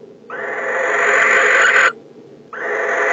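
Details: December nest-box recording of a male barn owl greeting the returning female with a drawn-out rasping hiss of about one and a half seconds, followed after a brief pause by another harsh screech beginning.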